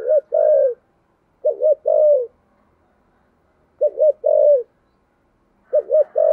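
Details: Low, rich cooing of a spotted dove with a thunder-like voice, phrases of a stuttered double note and a longer falling coo repeated four times at uneven intervals.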